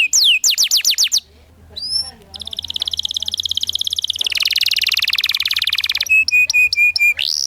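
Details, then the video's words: Rolling canary song used to teach young canaries: quick falling notes, a soft pause, then a long buzzy trill that speeds into a dense rattle, followed by clipped repeated chips and a rising sweep. "PANCINGAN Kenari GACOR NGEROL Masteran Ampuh UNTUK KENARI PAUD BELAJAR BUNYI NGRIWIK"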